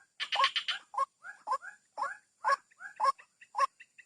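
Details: Used to entice white-breasted waterhens out of cover, a call opening with a rapid chattering burst, followed by paired rising croaks and short grunting notes repeated about twice a second.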